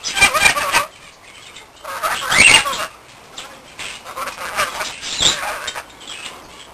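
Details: Rainbow lorikeet kept as a pet, a male that is protective of his bell, giving loud, rasping screech bursts, with a long harsh one near the start and shorter scratchy outbursts after quieter gaps.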